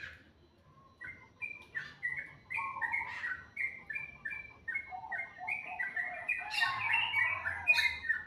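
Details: Morning bird song starting after a quiet second: a chain of short whistled notes at two alternating pitches, ending in denser, rougher chatter with a couple of high sharp chips.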